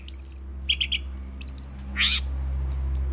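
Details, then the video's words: Green leafbird (cicak ijo) in an agitated state, giving short bursts of high chirps and trills, a thin whistle, and a rough harsh note, over steady low background hum. "cara pancing burung cicak ijo kk emosi"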